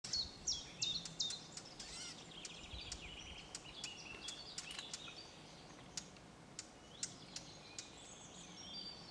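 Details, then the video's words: Male Eurasian blackcap alarm call: hard, clicking tack notes like two pebbles struck together, repeated at an uneven pace over a steady background hiss. "Blackcap Male alarm call"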